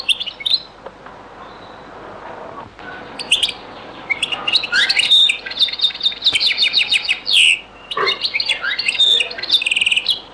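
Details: European goldfinch in the Beni Messous 'les avocats' (zaboka) song style from a very old recording: scattered chirps building into a long, fast twittering and trilling phrase with buzzy notes.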